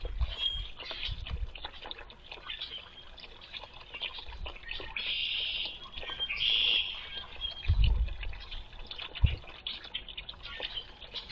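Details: Red-winged blackbird with scattered thin chips, then a loud buzzy trill midway and a brief second burst, against low thumps and a trickling background.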